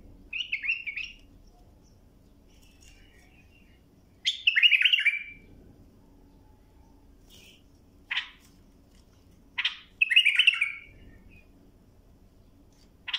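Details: Young birds are taught to sing from this bulbul song: rich fluty warbled phrases spaced several seconds apart, with a few short sharp single notes between them in a quiet room.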